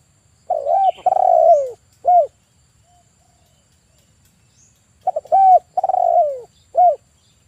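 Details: Male spotted dove, a persistent caller of the 'kuk 1' type used as a lure for trapping birds, gives two full cooing phrases: a few short clipped notes, a long rolling descending coo, then a short arched coo, with a pause between.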